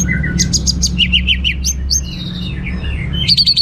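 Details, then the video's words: An Orange-headed thrush sings a lively, clear, varied song: a fast, ever-changing run of clear high whistles and chirpy trills, with a low steady hum underneath. "Suara Gacor Burung Anis Merah Teler Materi Melimpah"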